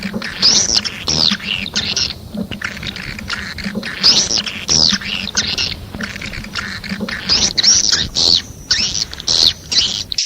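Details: Swiftlet calls: bursts of harsh, buzzy high twittering that come and go every second or so, with a steady low hum underneath.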